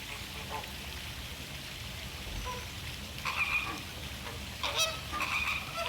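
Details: American flamingos at a courtship mating dance, Caribbean: a few scattered, nasal, goose-like honks rise out of steady background hiss, the louder ones near the end.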